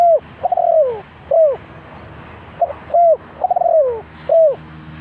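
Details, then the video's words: Spotted dove (cu gáy) from Ninh Thuận, used as a bird-trap decoy. It gives loud, hoarse coos that bend downward, short notes alternating with longer drawn-out phrases, repeated about every second. A faint low hum sits underneath. "The Sound Of Dove,เสียงนกเขาใหญ่"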